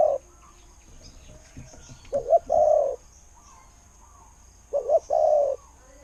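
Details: Spotted dove kept as a decoy, singing its "ku-ang" style coo: a brief double note then a sustained hollow coo, two phrases spaced widely, with light rustling and distant chirps between.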